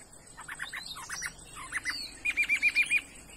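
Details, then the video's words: Chinese hwamei, a 'đảo' bird with a good voice offered for sale, giving clusters of short chirps, then a crisp run of six evenly repeated high whistled notes. "mi đảo giọng hay"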